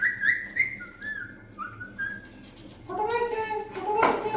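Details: Pet green parrot indoors in a small room, talking in Bengali, said to say Allah and that a guest has come: a run of clear whistled tones, then voice-like harmonic syllables with a sharp click near the end.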